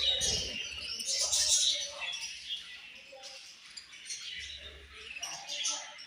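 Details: Australian budgie parrots chirping together: dense, high warbling chatter with scratchy twitters, louder in the first two seconds, then softer overlapping chirps, with low thumps near the start.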